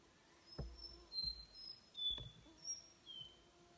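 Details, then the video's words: Nightingale Wren (Microcerculus philomela) sings a slow string of pure, thin whistles, each at a different pitch, wandering up and down, over low thuds and faint background hiss. "Nightingale Wren (Microcerculus philomela)"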